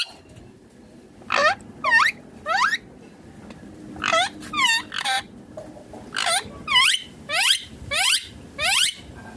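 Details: Green rose-ringed parakeet eating food gives loud arched squawks in groups of two or three, each dropping sharply in pitch, separated by short quiet gaps over a low room hum.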